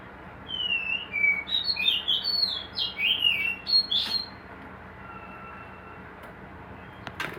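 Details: White-rumped shama in a hanging cage, part of a breeding setup, sings a fast rhythmic string of high whistled notes for about three seconds, then stops; a sharp knock is heard near the end.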